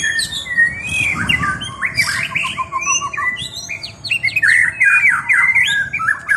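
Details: White-rumped shama singing a fast, ever-changing stream of sweeping whistles and harsh chirps, about two or three notes a second, rich and mimicking in style.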